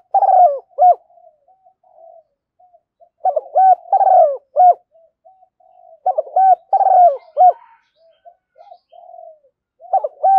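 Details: Spotted dove used as a decoy to lure doves, with bursts of soft, low cooing phrases: clusters of rising and falling coos, several notes each, separated by quieter single coos and short pauses, repeated about four times; clean recording, no other sounds.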